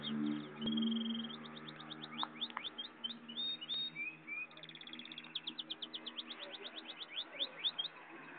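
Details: Goldfinch x canary hybrid (pintagol) in full song: long, rapid run of bright, high twittering notes, some drawn-out whistles and quick rolled trills repeated many times a second, over a low background hum.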